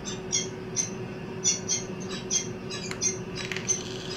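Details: Peregrine falcon (Falco peregrinus) at a nest during egg incubation, after the female went missing for two days: thin, high, squeaky peeps in short irregular bursts, roughly one or two a second, over a steady low electrical hum.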